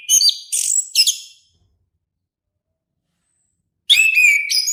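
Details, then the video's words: Orange-headed thrush singing: three bright, high whistled phrases in quick succession, then a pause of over two seconds before another rich warbled phrase begins. "suara merdu burung anis kembang"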